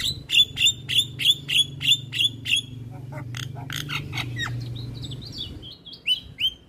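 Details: A male Javan myna sings, bobbing its head, with a fast run of sharp, squeaky whistled notes, about three a second, breaking into harsher chattering and clicks, with a low hum beneath.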